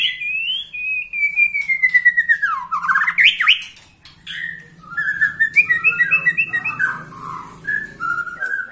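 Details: A 21-year-old white-rumped shama opens with a long, clear, falling whistle, then rapid sweeping notes and a run of sharp clicks, before soft warbled whistled phrases.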